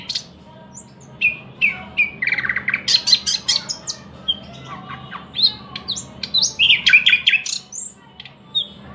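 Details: Thrush nightingale song: a varied run of sharp clicks, rich warbled phrases and high whistled notes, delivered in quick bursts separated by short pauses, over a quiet background.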